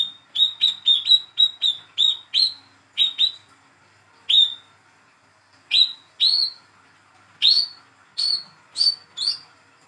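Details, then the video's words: Captive young speckled olive-backed sunbird, raised by hand, calling as a lure for a silent bird: a quick burst of about eight clear, ringing chirps, then a series of slower, harsher chirps spread over several seconds. "PANCINGAN CALL KOLIBRI KELAPA/WICEH MUDA TROTOL BAHAN MACET BUNYI"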